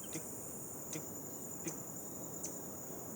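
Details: Male hummingbird perched on a branch in a Costa Rican national park, calling to the females; sings all day, loud for its small size. Sharp high ticks come about every three-quarters of a second, four in all, over a steady high insect whine and hiss.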